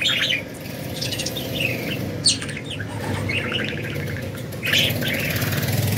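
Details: Budgies flying freely twitter in short buzzy chirp runs, with a sudden loud note around two seconds and another burst near the end, over steady low noise.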